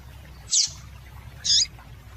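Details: Female double-collared seedeater giving two short, high, bright chirps about one second apart, meant to stimulate males, over a quiet low hum.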